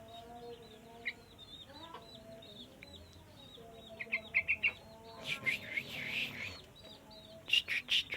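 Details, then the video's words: Sooty-headed bulbul kept in a cage and trained to sing. After several seconds of soft chirps and steady low tones, it gives bursts of loud, rich, warbling notes that come in clusters near the end. "Burung Trucuk Sungguh Mau Ber Kicau Terus"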